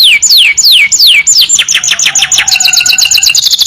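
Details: Canary long-trill training song: loud descending whistled sweeps repeat about every third of a second, then break into a fast, thin trill.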